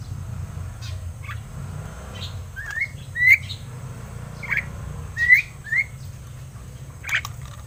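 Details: Young captive crested myna, aged seven months, repeating short upslurred whistled notes about every half second to a second, interspersed with faint clicks over a steady low hum.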